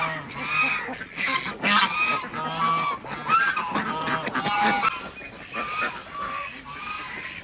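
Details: Desi ducks at a village farm in Andhra Pradesh during the morning egg collection; a crowded flock gives repeated harsh quacks, loudest in the middle of the passage.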